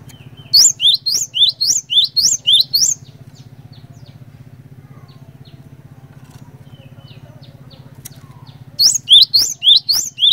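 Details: Cinereous tit used as a lure to make others sing, delivering a burst of about seven high, ringing double whistles, then several seconds of near silence with low hum, before a second quick burst of the same whistles.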